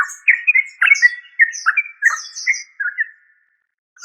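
A yellow-vented bulbul gives a run of bubbly, liquid chirps, quick and uneven, about three notes a second, ending after three seconds.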